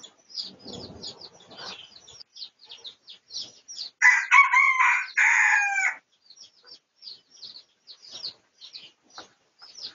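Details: Pradu-coloured red junglefowl recorded for research, 18 August 2023, giving one loud two-part harmonic crow lasting about two seconds. Rapid high chirping from other birds fills the background before and after.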